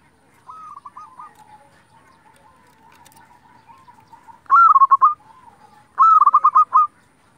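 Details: Energetic local zebra dove, a lure to provoke rivals into song: faint distant coo phrases first, then two loud, fast-stuttering trilled phrases about a second and a half apart.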